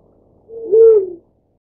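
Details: A single drawn-out, mellow hoot from a Black-chinned Fruit-Dove tending its chick. It swells gently in the middle and fades away, with no other sounds.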